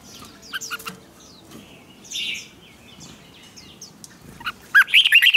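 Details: Red-whiskered bulbul used to train competitive singing: sparse chirps and a brief buzzy note, then a loud burst of rapid, wavering whistled notes at the close.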